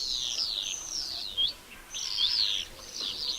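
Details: Common swifts in full cry: shrill, descending screams of about half a second each, coming in quick waves with brief pauses between passes.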